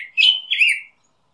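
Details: Pheucticus melanocephalus, the Black-headed grosbeak: a brief clear whistled phrase held level, then a rising-and-falling slurred note, loud and clean.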